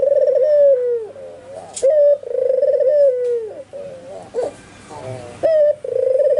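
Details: Albino white Barbary dove in full calling mood, spotted doves and zebra doves chiming in nearby; two rolling coos with short lead notes, a hissy stretch of noise in between, then another phrase starting.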